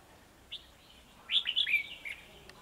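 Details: Red-whiskered bulbul, one of two males challenging a decoy bird at a trapping site, recorded 9 December 2020: a faint short note, then a brief bright warbled phrase of quick rising and falling whistles, over steady background hiss.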